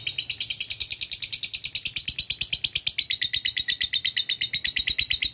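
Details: Ngekek chattering from a male lovebird challenging a rival, a lure sound: an unbroken, fast, high, buzzy rattle of evenly spaced pulses that drifts slightly lower in pitch toward the end.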